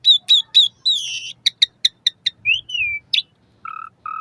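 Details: Asian pied starling song meant to prompt caged birds to sing, morning and evening: squeaky whistled notes, a run of sharp clicks, a falling slurred whistle and two low hollow hoots.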